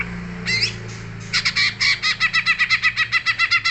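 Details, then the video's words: Greater green leafbird singing: a brief bright slurred note, a pause, then a fast run of loud sharp chirps repeated about four times a second in a steady rhythm. "cucak ijo mewah"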